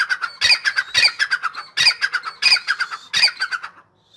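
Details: A Grey francolin (dakhni teetar) in full spirits gives loud, harsh, ringing squawking phrases: about four bursts of rapid repeated notes in four seconds, with no other sounds.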